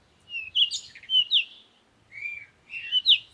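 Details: Bird song in two quick phrases: first a chain of bright chirps and slurred whistles, then after a short pause a lower drawn-out whistle followed by rising twitters.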